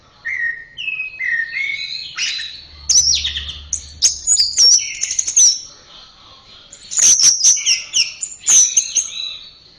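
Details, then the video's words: Orange-headed thrush master song for caged birds, rich run of whistles, trills and sharp high chips, rising and falling in rapid varied phrases with brief gaps. "Masteran Suara Burung Anis Merah"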